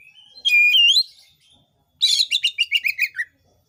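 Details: Oriental magpie-robin song of the 'gacor' kind, played to provoke other birds into answering: one loud warbled whistle, a pause, then about ten quick harsh rasping notes dropping slightly in pitch.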